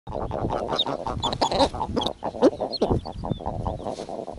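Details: Snowy owl on its nest in the Arctic, near nesting common eiders, rolling a stray eider egg into the nest: dense, throaty clucking and cackling notes run together in rapid uneven bursts, with faint high bird calls behind.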